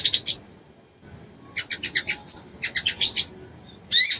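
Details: Brown-throated sunbird (Anthreptes malacensis), female call: female calling the male to court.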